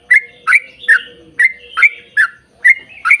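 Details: Lure recording of a yellow-vented bulbul in 'ropel panjang' style, long and rapid, to make other bulbuls sing: eight bright gurgled notes in just over three seconds, evenly spaced, with a quiet background hum.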